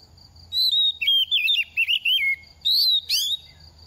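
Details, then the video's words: Oriental magpie-robin, a semi-mature bird in its second season, singing readily while moulting and dropping feathers: high whistled notes sliding and warbling, a run of quick twisting phrases, then sharp rising upslurs, over a faint steady high hum. "Kích chim hót mùa thay lông | Choè than bánh tẻ lên 2 vụ mau mồm đang rớt lông p3 Kích Choè Than Hót"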